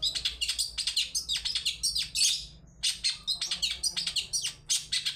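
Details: Long-tailed shrike singing a 'toet toet' lure meant to make other shrikes answer; a rapid run of high, scratchy chirps and slurred notes in quick series, with one brief pause midway.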